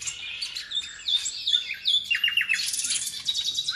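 Nightingale song: a rapid, varied run of high whistles, sharp chirps and buzzy trills, with phrases changing every second or so.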